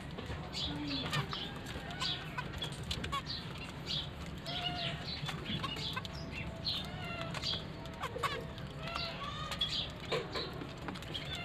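Zebra finches give short, nasal chirping calls over a steady low hum and fluttering wings.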